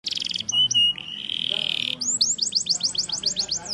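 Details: A Yorkshire canary (Serinus canaria) singing a high, bright song: a buzzy burst and two clear whistles lead into a rolling trill, then about a dozen quick rising chirps.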